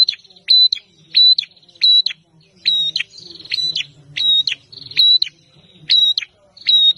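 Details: Bar-winged prinia, a combative prenjak, calling hard: bright high chip-and-whistle notes repeated steadily about every half second, occasional rattling buzzes between them, low murmur in the background.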